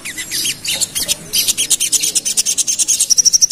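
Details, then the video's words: Pied fantail roused to agitation, rapid 'ngerap' chattering from a lure recording: a steady stream of high, sharp ticking notes, about three per second, closing with a thin, quickly repeated piping. "Pancingan Ampuh Bikin Burung Sogon Emosi | Suara Sogon Ngerap"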